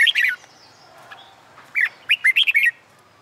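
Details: Red-whiskered bulbul song used to train birds for singing contests, recorded on a sunny summer day: a bright warbled phrase at the start, then a rapid run of five clear whistled notes after two seconds.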